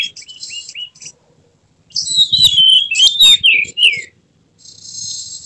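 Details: Emotional Oriental magpie-robin, tail spread, giving its full repertoire: short whistled notes and a buzzy phrase, a pause, then a loud burst of varied warbles, ending in a faint buzzy note.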